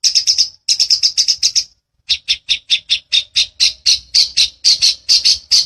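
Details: Long-tailed shrike in a training recording for songbirds, in the vigorous dense rolling style called gacoran rol rapat ngeplong: a fast run of harsh, scratchy high notes, about four a second, with a short pause before a steady series resumes.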